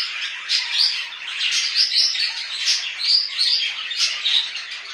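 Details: Pet budgerigars in home care chattering steadily: a dense, bright twittering with sharp whistled chirps and clicks, swelling into louder bursts roughly every second.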